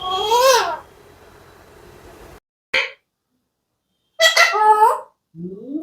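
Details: Alexandrine parakeet mimicking speech: a loud wavering syllable with stacked rising-falling tones, a brief click, then a two-part phrase of bending speech-like notes and a final upward-sliding note.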